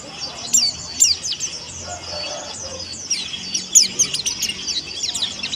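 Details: Young caged Indonesian white-eye, the white-breasted pleci monty, learning to sing. Soft high tweets come in scattered bursts, growing busier toward the end, over a quiet background hum.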